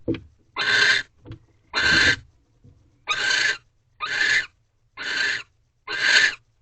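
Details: Barn owl mating ritual inside a nest box, recorded at 2:15 am on 3 March 2023, the thirteenth night: six rasping, hissing screech bursts, each under a second, coming roughly once a second, with faint low bumps between.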